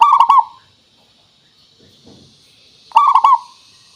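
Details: {'caption': 'Lure song of a local zebra dove meant to make other doves reply: two loud, stuttered phrases of quick bell-like coos, about three seconds apart, separated by near silence with a faint rustle.'}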